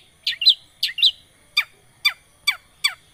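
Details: Long-tailed shrike lure to start a silent bird singing: two doubled high chirps, then four single sharp down-slurred notes spaced roughly half a second apart.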